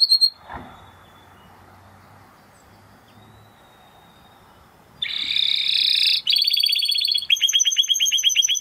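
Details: Spanish Timbrado canary singing after about five seconds of near silence. The song comes as dense metallic rolls and rapid trills around high pitch, switching to fast-repeated clipped notes toward the end.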